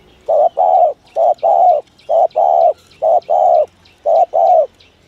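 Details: Thổ thúc gù cooing of a spotted dove, a call trappers use as a lure: five evenly spaced pairs of low coos, each a short note then a drawn-out one, thin bird chirps faintly audible above.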